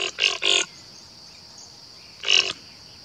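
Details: Male Blue Dacnis feeding on nectar of yellow ipê (Tabebuia) flowers, Muriaé, Minas Gerais, Brazil, 2020, giving three quick harsh buzzy chips, then one more two seconds later, over a steady high insect hum.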